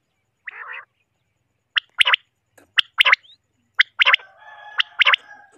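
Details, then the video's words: Common quail, locally called batair, three birds: a burry buzzy note, then sharp clipped calls paired with rasping bursts, repeating roughly once a second, with a faint drawn-out harmonic buzz under the later notes. "common Quel Sound.batair sound"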